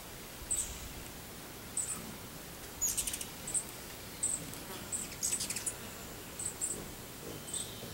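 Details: American goldfinch feasting on sunflower seeds, giving short, very high, thin chips scattered across the clip, roughly one every half second to second, with a few brief clustered bursts and faint rustling.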